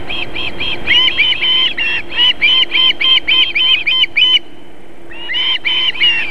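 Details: Nesting osprey in Võrumaa, South Estonia, a female feeding chicks at 19:51 on 31 July 2021. Rapid, strident whistled chirps in a steady string, a brief pause, then the series resumes over a faint steady hum.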